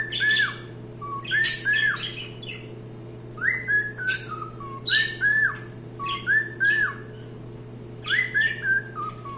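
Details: A cockatiel sings in repeated phrases about every one to two seconds, each a quick upward whistle followed by a few falling whistled notes, with some buzzy chirps and a low steady hum behind.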